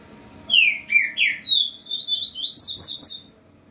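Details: Double-collared seedeater singing steadily in a face-off with another bird: three down-slurred whistles, then a long tumbling sequence of bright, zigzagging high notes ending in sharp rising strokes.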